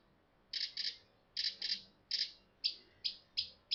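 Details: Mockingbird singing at Savannah National Wildlife Refuge, a mimic that repeats phrases two to six times. Harsh, raspy doubled notes come three times, then a series of sharp, high, slurred notes follows in even succession over a soft background hiss.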